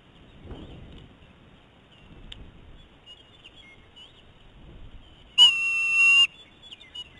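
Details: Eagle pair at a nest during a food fight, the male arriving with prey and eating it in front of a young female; one loud, harmonic, steady whine of nearly a second amid quiet background rustling.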